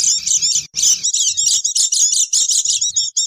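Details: Oriental white-eyes in a noisy lure recording used to attract wild birds: dense, high, thin twittering chirps in rapid bursts, broken by short pauses, with faint low thumping underneath.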